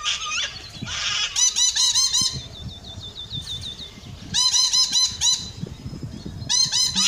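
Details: A white, yellow-crested cockatoo gives loud, raspy squawks in three bursts of quick repeated notes, opening with a harsh drawn-out screech.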